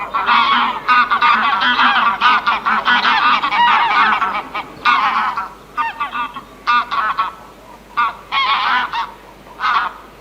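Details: Several farm geese honking loudly together: harsh, nasal, overlapping blasts in dense bursts that thin into separate spaced honks toward the end.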